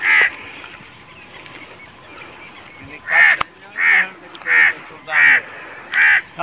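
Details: Teetar, the grey francolin kept as a hobby partridge in Pakistan: after a few quiet seconds of background noise, loud ringing harmonic calls repeat steadily about every two-thirds of a second.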